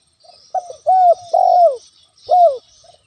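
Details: Vigorous spotted dove coo used as a lure to anger a rival: soft leading note, two sustained mellow coos, the second drooping in pitch, then one more falling coo and a trailing soft note; faint high hiss.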